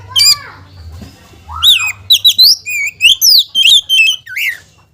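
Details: White-rumped shama song used to provoke other shamas: a fast, varied run of loud whistled notes, swoops and warbles, nearly continuous from about one and a half seconds on, in a quiet setting.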